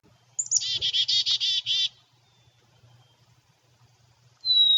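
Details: At Natural Tunnel State Park, a Black-capped Chickadee gives its chickadee-dee-dee: a high opening note, then about six rapid, harsh, buzzy dee notes in under two seconds. A thin, clear whistle follows a few seconds later.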